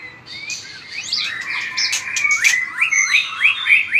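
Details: White-rumped shama giving an energetic fighting song with strong tail flicks: whistled phrases build into a quick series of repeated upward-swept notes, about three per second, with clicks between.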